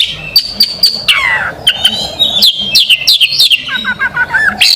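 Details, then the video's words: Magpie robin, a national competition champion, sings a long steady whistle, then a downward sweeping note, sharp clicks and a run of quick hooked chirps, bright and loud throughout. "Burung kacer juara nasional, tolak barter dengan sepeda motor || Suara tembakan nya pedas gurih."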